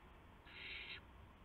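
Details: A single loud, breathy hiss of about half a second from an owlet at the nest just after midnight on March 19, 2016, during prey deliveries by the adult owls.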